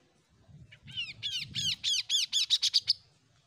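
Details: Untrained Oriental magpie-robin in Indonesia starting to find its voice: a quick series of rasping, down-slurred notes that speed up and climb higher, ending in short bright clipped notes, over a soft low background rumble.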